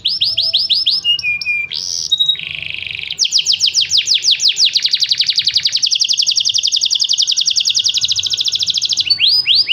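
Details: Canary in full, lively song: a long continuous stream of high, rapid rolling trills, shifting through several pulsed and buzzy phrases with brief whistled notes, nearly ten seconds without pause, over faint low background noise.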